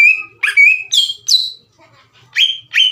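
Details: Green leafbird singing as a lure to trigger rival leafbirds: clear whistled notes, several sliding upward then dropping to level tones, delivered in spaced pairs with a brief quiet gap.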